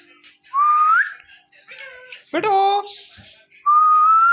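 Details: Male and female ringneck parrots making mating sounds in front of a mirror: a rising whistle, soft chatter, a loud nasal harmonic call dropping then levelling, and a final long, slowly climbing whistle.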